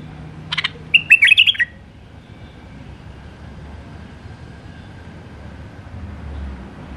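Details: Wild White-eared bulbul singing in the Alwazi style: a sharp buzzy note, then one short rich warbled phrase of quick rising and falling whistles, followed by quiet background hiss.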